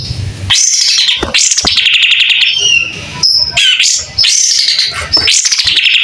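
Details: Singing White-rumped shama spreading its tail. Loud, rich, high warbling phrases with rapid trills, short pure whistles and sliding notes, separated by two or three brief gaps.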